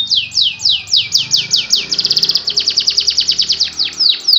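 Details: Canary singing in the anti njepret, nagen satu titik style: a run of loud whistled notes sweeping down from high to middle pitch, then a quick rapid trill, before the falling sweeps return.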